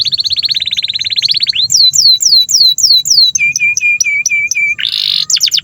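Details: Long canary song meant as a master for young or silent canaries to learn from: a rapid rolling trill, a series of repeated downslurred whistles, a string of short hooked notes, then a buzzy burst and sharp clicks.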